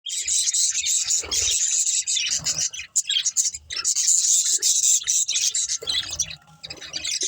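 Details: Budgerigars chirping while playing and eating: a dense, continuous warbling chatter of high, scratchy twitters, with brief quiet gaps near three and six seconds.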